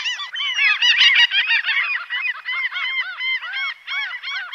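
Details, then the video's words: Common gulls calling together: a dense, overlapping chorus of high, arched mewing cries, rising then falling, repeated rapidly by several birds at once without pause. "Сизая чайка - Larus canus"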